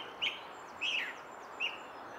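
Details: Song thrush in song beside the Henry Moore sculpture, giving three separate loud, clear whistled notes spaced about half a second apart over steady background noise.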